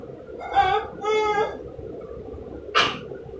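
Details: A half-tame green Rose-ringed parakeet speaks two nasal, word-like phrases in quick succession, then gives a short harsh screech about a second later.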